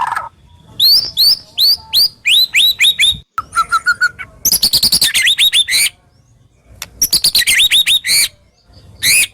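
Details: Captive white-rumped shama (murai batu) singing a harsh, sharp 'tembakan' song used to stimulate silent shamas: bursts of high rising whistles and rapid repeated chips, loud and varied, separated by brief pauses.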